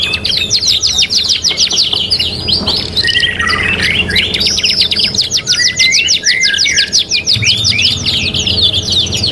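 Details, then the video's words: Lively domestic canary in a '3 in 1' training mix: extended high, rapid pulsed trill with warbled swoops slipped in, steady and insistent throughout, with a low hum underneath. "KENARI GACOR | CANARY SINGING"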